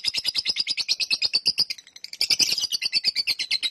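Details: Lovebird in long ngekek: rapid, harsh high-pitched chattering pulses in a quick string, a short gap partway through, then the chatter resumes just as fast and strongly.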